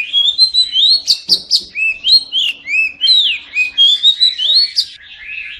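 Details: Rich oriental magpie-robin song meant to get silent magpie-robins singing: slurred whistles sweeping up and down, interspersed with sharp clicks, delivered in quick, evenly spaced bursts about twice a second.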